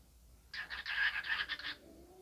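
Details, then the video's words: Dancing cockatiel talking in one harsh, scratchy, speech-like burst lasting just over a second, set against quiet background. "Talking Dancing cockatiel"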